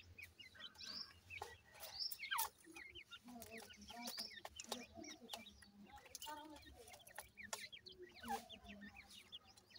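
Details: Grey francolin chicks keep up nearly continuous high, thin peeping while calling their mother, the notes overlapping from several birds, amid frequent dry clicks and pecking taps.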